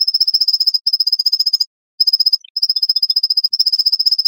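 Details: White-breasted nuthatch song in a tight, speeded sequence: quick strings of high, nasal, repeated notes with a short silence midway and a few softer lower notes before the run resumes.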